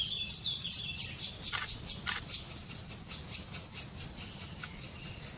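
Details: Black Woodpecker (Dryocopus martius) chicks being fed by a parent in Kras-Karst, Slovenia, in May 2018 give a rapid, steady stream of high, hissing chirps, about two each second, over a low rumble.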